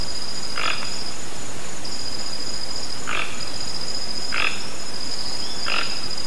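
Four short, harsh croaks from a toco toucan, spaced a second or more apart, over a steady high insect-like whine.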